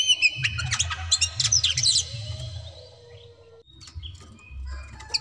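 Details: Oriental magpie-robin, kacer daput type, in fierce song meant to make rivals fight: a rapid burst of chirps and sharp notes, then a long low whistle and a quiet gap, with a few faint chirps at the end over low hum.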